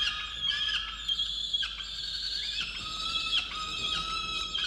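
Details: Wild peregrine falcon in a water-tower nest box at Orange, New South Wales, Australia, 8 November 2022, upset at its mate over breakfast; strained nasal wails with small dips and breaks, interrupted by sharp clicks, steady and high.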